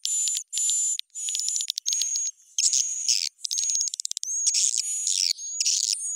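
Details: Edible-nest swiftlet lure call, sped up and raised in pitch for attracting birds to swiftlet houses: buzzy high bursts with a thin whistle, a quick rattle of clicks midway, then louder scratchy twittering.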